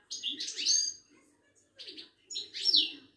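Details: Wydani-type Moroccan European goldfinch, a kept songbird at a Casablanca bird market, delivering rapid tinkling, buzzy twitters in three bursts, with a soft low hum beneath.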